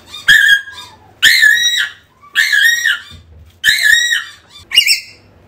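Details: African grey parrot calling to bring a lost bird back: loud harsh harmonic screeches repeated about once a second, five in a row with short pauses between.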